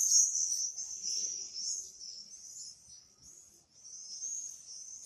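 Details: Several swifts give thin, very high screaming trills in overlapping bursts that rise and fall in loudness, with a short lull after the third second. A quiet background lies beneath.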